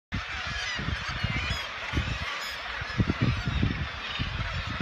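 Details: At the Cape St. Mary's seabird cliffs, a dense colony of adult black-legged kittiwakes getting ready to nest gives nasal, overlapping cries that run together without a break, over a steady low rumble of wind and surf.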